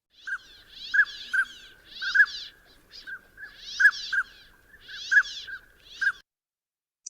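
A male Northern Pintail gives short, mellow toots in pairs, mixed with quick rasping bursts like a tent zipper, about a dozen notes over six seconds.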